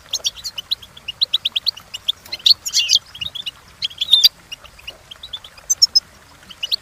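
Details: European goldfinch song for training, a fast series of evenly spaced chirps building into harsher buzzy, jangling flourishes, then scattered sharp high notes and brief trills.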